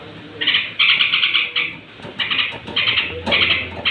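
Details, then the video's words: Straw-headed bulbul at bedtime, its voice meant to provoke rival bulbuls: short bursts of quick, bright chattering notes repeated in several phrases with brief pauses between them. "suara trucuk menjelang tidur ampuh naikkan emosi trucuk lain"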